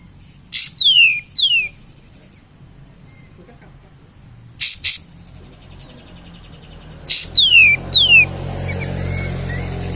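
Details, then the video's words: Lure song of a lively cream-vented bulbul, used to stimulate other birds: three spaced pairs of sharp downward-sweeping whistles, each pair introduced by a crisp snap, with rising rushing background noise near the end. "Kapas tembak Gacor suara pancingan kapas tembak naikin mental kapas tembak kalian"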